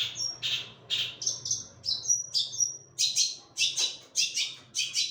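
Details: Long-tailed shrike singing a series of sharp, high scratchy chirps and short whistles, repeated roughly every half second, over a faint low hum.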